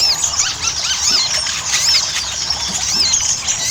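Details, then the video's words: Ruby-cheeked sunbird, or sogon, singing in a lure track meant to stimulate other birds. Busy high-pitched twittering with bright arched squeaks recurring irregularly through the noise. "PANCINGAN SOGON AGAR CEPAT GACOR"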